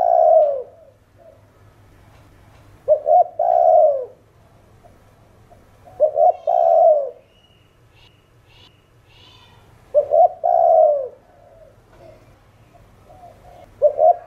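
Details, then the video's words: Spotted dove giving a 'thổ đồng' style calling coo: four low, hollow coo phrases about every three and a half seconds, each with short clipped notes then a longer falling coo; faint high chirps of another bird between phrases. "Cu gáy Thổ Đồng Gáy Gọi + Thúc Kích Bổi Nhanh Nổi | Tiếng Chim Cu Đất Gáy"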